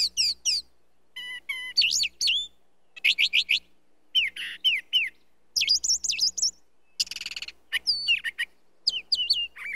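Brown Thrasher song: a rich, varied run of loud whistled and slurred phrases, high and clear, each burst given in quick pairs with short pauses between.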